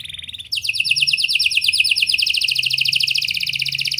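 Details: Singing canary intended as a prompt for young birds: a soft short note, then an abrupt loud, very fast trill of high repeated notes that continues unbroken, slowly dropping slightly in pitch.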